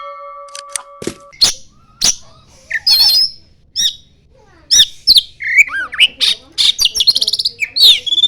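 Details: Oriental magpie-robin singing a varied song that includes mimicry of the common iora: sharp separate notes, then whistled loops and rapid trills. It starts with a few steady pure tones.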